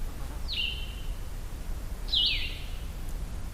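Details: Blue-headed Vireo on a trail in the Hickory Creek Wilderness Area: two sweet, slurred phrases, each sliding downward, about a second and a half apart, sweeter than a Red-eyed Vireo, over a steady low rumble.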